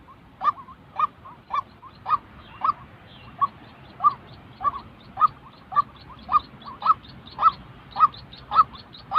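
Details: Calls of a white-breasted waterhen, recorded for training decoy birds in trapping: harsh, nasal notes repeated roughly twice per second in a steady, even series against a faint low background hum.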